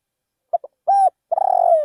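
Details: Spotted dove used as a caller bird in a rice field; two tiny introductory notes, an even coo, then a long quavering coo that falls in pitch, cut off near its end.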